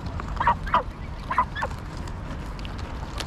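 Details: Greylag geese in Pearson Park, Hull, England, on 22 August 2021, filmed with a GoPro Hero9: several short nasal honks in quick succession over steady low background rumble.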